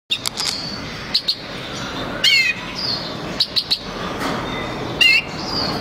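A male white-winged crossbill gives dry, high chip notes in quick pairs and triplets, with two brief squeaky, rippling call phrases between them.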